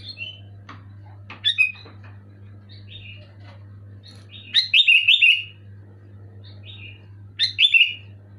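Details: Sooty-headed bulbul in energetic, clear song: scattered short whistles, then a rapid bubbling run of four or five liquid notes and a later burst of chattering whistles, over a low steady hum.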